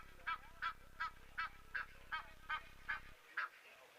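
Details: Egyptian goose calling on a cool day after overnight rain, giving a run of harsh, honking calls at about two or three per second over a steady low background hum.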